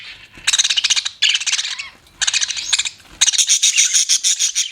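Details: Budgerigar chatter in four buzzy, rapidly pulsed bursts, each a rattling run of repeated high notes, the last one longer and more tonal.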